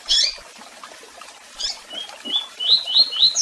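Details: Double-collared seedeater singing, with chirps and calls: a couple of bright high chirps, then a run of short clear whistled notes repeated quickly, rising slightly toward the end.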